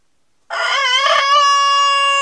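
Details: Denizli rooster crowing: a loud, rich harmonic crow that opens with a rough, wavering start and then settles into a long, steady held note, still sounding as the recording ends.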